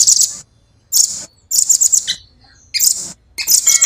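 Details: Short, separated bursts of shrill, rapid chattering from a caged velvet-fronted nuthatch, each lasting under a second with clean silences between.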